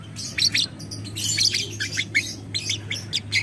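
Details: Caged lovebird of the violet ewing gold colour form, recorded as a training model with a long ngekek chatter: rapid scratchy high chirps and squeaks, bursts of notes run together over steady low hum.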